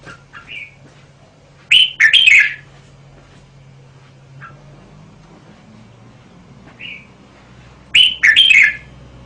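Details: Red-whiskered bulbul song: two short bursts of bright, chattering whistled notes about six seconds apart, each led by a few soft upslurred notes, over a steady low hum.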